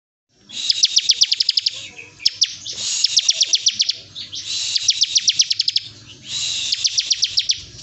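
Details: Bar-winged prinia singing the sought-after 'bren' song style, as a tutor recording for training birds: four bursts of rapid, sharp, very high ticking notes, each about a second long, over a buzzy hiss, with short gaps between.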